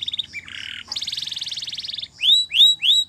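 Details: Canary training song with a quick run of varied phrases: a buzzy roll, a lower rattling tour, a long bright rapid trill, then three loud rising whistled slurs.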